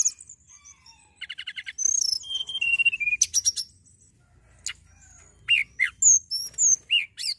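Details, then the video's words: Hill prinia in lively song: quick repeated chips, a descending run of whistles, sharp high clicks, then widely spaced looping whistled notes near the end. "tledekan gunung gacor"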